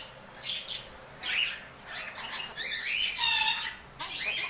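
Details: Pet African grey parrot indoors while being hand-fed okra, giving harsh mid-to-high squawks and a couple of strained whistled notes in uneven bursts, with faint room noise between them.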